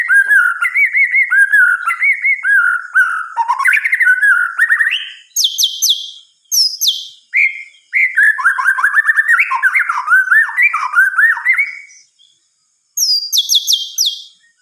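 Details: Long night-time song of a white-rumped shama: varied rolling whistled phrases that rise and fall, interrupted by very high, rapid trilled bursts, with short pauses between phrases.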